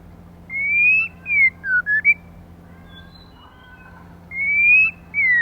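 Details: White-rumped shama female, song used to rouse males: clear whistled phrases, a rising-falling slur followed by four quick looping notes, a pause, then two more bright sliding whistles over a steady low hum.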